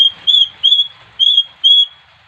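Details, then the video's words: Bali myna copying other birds with four loud, clear, level whistles at one high pitch, each about a quarter second long, evenly spaced. "suara gacor jalbo saat menirukan suara burung lain"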